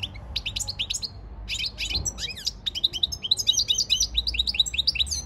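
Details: European goldfinch training song from 15 February 2024, a continuous stream of fast, bright, liquid twitters and buzzy trills, accelerating into dense repeated notes toward the end, with a soft low background rumble.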